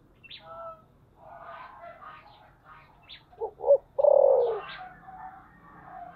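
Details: Spotted dove cooing in the voice style its keeper calls thổ sấm (Sấm Thổ): two short, low hooting notes, then a long, loud, slightly falling coo, with soft chirps and twitters from other small birds around it.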